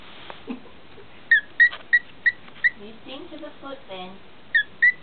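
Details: A 17-year-old male cockatiel kept as a pet sings to a woman's foot: sharp, bright whistled chirps come in a quick series, then stop while she speaks encouragingly, then resume with two more chirps.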